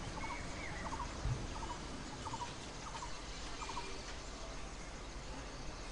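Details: Red-billed blue magpie, a mother feeding her brood of four chicks on the nest in the Himalayan foothills in summer, gives six quick stuttering bursts of mid-pitched notes, about one every two-thirds of a second, over a steady background hiss.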